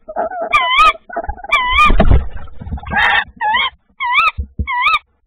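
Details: Tawny owl on 25 February 2024 during a second prey delivery, giving short, wavering, squeaky notes in quick series, about one every half second, with soft scuffing and thumps underneath.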